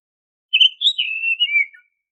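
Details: Oriental magpie-robin (kacer) song, played as a lure to make untrained caged birds sing readily. One continuous, clear whistled phrase of about one and a quarter seconds, with quick up-and-down inflections ending in a falling slur. No other sounds.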